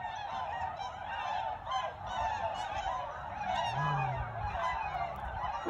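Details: A large flock of tundra swans coming in to land on Lake Mattamuskeet, Hyde County, North Carolina, in December 2019, keeps up a dense chorus of high, hooting, yelping calls over low wind rumble.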